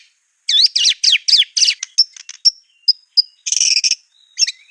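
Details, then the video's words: White-rumped shama singing clear competition 'tembakan' master song for other birds to copy: a series of quick looping downswept notes, scattered sharp high ticks, then a short harsh rattling burst and a final whistle. "Masteran murai batu ful tembakan kicau prestasi jernih mudah di tiru"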